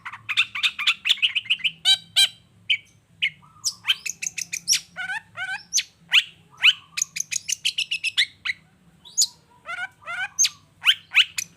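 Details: Lively long-tailed shrike song used to provoke other shrikes into answering: nearly twelve seconds of rapid, varied notes, harsh scratches, clipped whistles and rising and falling slurs, tumbling almost without pause.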